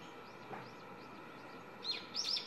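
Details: A young brown-eared bulbul singing on a wire in front of a house about 6–7 m away gives a few sharp, high, squeaky notes near the end after faint thin chirps, over a steady low hum from the camera or air conditioning.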